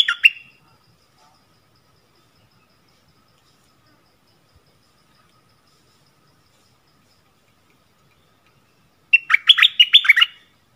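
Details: Yellow-vented bulbul decoy song, used to lure wild birds: a short bubbly burst of rich warbling notes at the start, a long silence, then a fuller gurgling phrase near the end.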